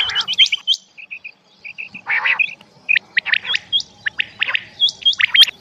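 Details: Rain quail call: quick clusters of sharp, high whistled chirps and hooked notes, a few soft short dotted notes, and a brief harsher buzzy burst near the middle, in an uneven stop-start rhythm.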